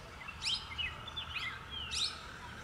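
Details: Female parakeet giving harsh, screechy calls that sweep sharply up and down, three loud bursts about three-quarters of a second apart with softer chatter between, over low rumbling background noise.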